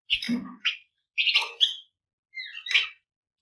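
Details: Flamboyan bird in full, dense song used to spur other birds to sing, giving three rich bursts of mixed chirps, slurred whistles and rasping notes.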